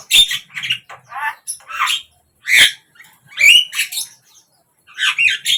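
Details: Javan myna singing morning, midday or evening: varied broken phrases of rasping notes, squeaky rising whistles and clicks, separated by short quiet spells.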